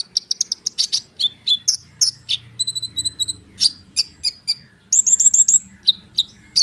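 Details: Konin bird pouring out a dense song as a lure for sunbirds: quick high chirps, a rattling trill of level whistled notes, then a buzzy fast phrase and scattered sharp calls.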